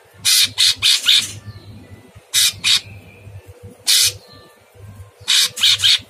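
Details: Very harsh, chattering Sooty-headed bulbul on a masteran recording for cage birds: rapid clusters of three to four rasping bursts, separated by pauses with faint whistles, over a soft low hum.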